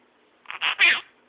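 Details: A pet monk parakeet gives a short, harsh, three-part burst of mimicked speech; its phrases include "I love you", "bye bye", "princess" and "lucky".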